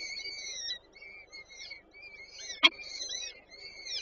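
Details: Peregrine falcon nestlings in Warsaw Żerań on 8 May 2023, fed by the female: piercing, slurred whining calls in short phrases, broken by a single loud knock midway.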